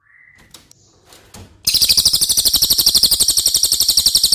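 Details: Caged cililin recorded to train contest birds, with a faint whistle and clicks at first, then a sudden loud run of fast, sharp, high-pitched buzzy notes repeated evenly at about ten per second.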